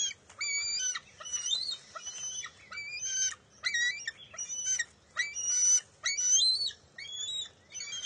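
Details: Bald eaglet refusing to share a fish with its mother at the NCTC nest, June 23, 2021: irregular, overlapping squeals and chittering notes, steady and harmonic-rich, with quick jumbled bursts between them.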